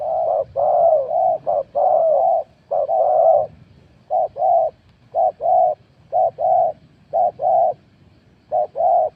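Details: Spotted dove (nok khao yai) used as a decoy to lure wild doves, giving low, mellow coos in short bursts of paired notes, about eight phrases with brief pauses, over faint low rumbling background noise.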